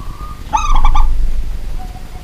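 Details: Night singing of a pet local zebra dove: a level coo, then a tight burst of three or four throaty stuttered coos, fading to a soft distant coo.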